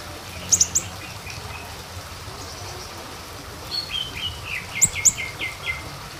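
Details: Small minivet lure recording: short, very high, thin notes in pairs near the start, then a run of lower, sliding chirps and a second pair of piercing high notes, over faint background hiss.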